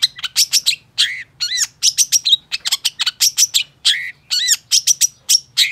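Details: Long-tailed shrike in vigorous song, used as a lure recording to prompt silent shrikes to sing: a fast, unbroken stream of harsh, scratchy notes mixed with brief arched whistles, about three notes per second, with a faint low hum throughout.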